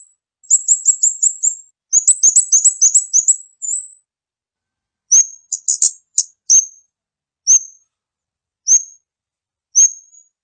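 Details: Kamade used as a lure: a rapid run of high piping tweets and a jumbled chattering flurry, then slower single sharp whistled notes spaced about a second apart against silence.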